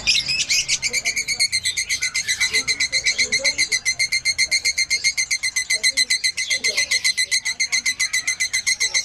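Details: A mated male canary, paired and at a bird event surrounded by many other birds, sings nonstop: a bright high-pitched run of rapid rolling trills and chirps, about four bursts a second, with faint voices in the background.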